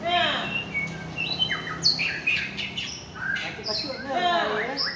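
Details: Aceh white-rumped shama, called a fighter bird in top form, mixing harsh, nasal, buzzy notes with sharp high whistles and short chirps in an uneven, lively sequence.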